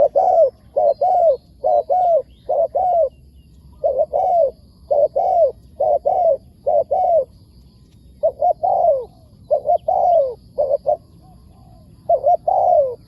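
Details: Wild spotted dove calling back to a decoy bird in a long run of cooing phrases, each a short paired coo ending in a longer descending coo, with brief pauses between phrases.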